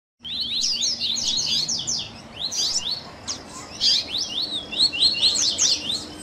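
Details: Double-collared seedeater song in a baderna mix for warming up and training captive birds, with tui tui, grego, viviti, flauteado and third-note variations: high, rapid, overlapping chirps and slurred whistles, steady and dense throughout, over a faint low hum.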